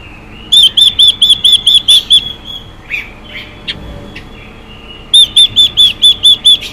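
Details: Female Chinese hwamei calling to rouse males: a run of about eight loud, ringing, upslurred whistles, then scattered soft clicks and faint notes, then a second run of seven matching whistles.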